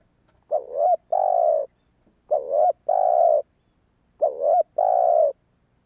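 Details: Three spotted dove phrases, repeated about every two seconds, used as a lure for wild doves. Each is a short bubbling double note, then a longer, smooth, hollow coo, over a quiet background.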